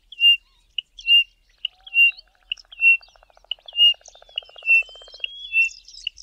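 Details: A Pririt Batis in the southern Karoo, South Africa, gives a steady run of clear, high piping whistles, one note about every second, with faint lower chirps from other birds behind.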